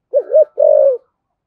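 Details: Spotted dove, thổ sấm type, in gáy gọi calling: two quick undulating low coos joined together, then a longer, fluttering, gently descending coo.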